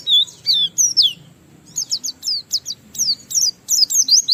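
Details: Oriental white-eye in full song, used to spur other white-eyes into singing, giving high sweet downslurred whistles followed by fast chattering bursts of sharp notes, nearly three notes a second.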